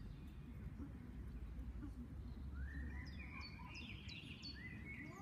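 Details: Common moorhen chicks calling in the second half with a series of high, sharply rising and falling peeps. Before that, a low rumbling background and faint voices.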